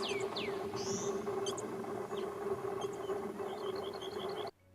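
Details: Canyon Wrens feeding young in a rock crevice on steep rocky slopes at Millerton Lake State Recreation Area, California, give thin, high whistled notes sweeping up or down, then quick runs of short high chips, over a steady low hum.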